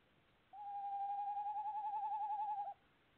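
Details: Tawny owl calling at a nest box on 25 February 2018: one steady, mid-pitched wavering trill lasting about two seconds, pulsing rapidly and evenly throughout, over a quiet background.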